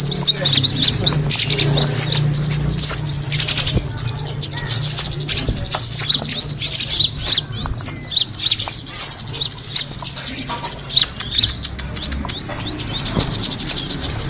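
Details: Kemade bird call meant to attract birds: long run of dense high-pitched chirping and quick whistled slurs, many notes overlapping, with a low hum early on.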